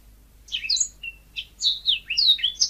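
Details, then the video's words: Yellow-fronted canary (burung mozambik) singing a short phrase of high sweet whistled notes and slurred chirps, with a brief thin trill in the middle, notes rising and falling. "Suara Burung Mozambik"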